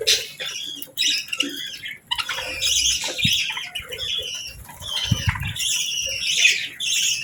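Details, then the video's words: Morning scene of budgies feeding and bathing; squeaky chirps and warbling chatter with bursts of wing flapping and splashy rustles in between. "Real Budgies Enjoying Morning"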